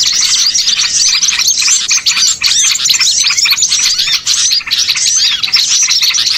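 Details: Bird-catching lure made of a small-bird chorus: continuous shrill twittering, quick rising chirps and scratchy notes from numerous birds, with a few short lulls midway.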